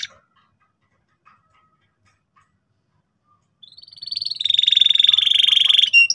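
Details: Canary in loud gacor song for young canaries to learn ngeriwik: nearly four seconds of near silence, then a rising note leading into a fast, buzzy, pulsing trill lasting about two seconds.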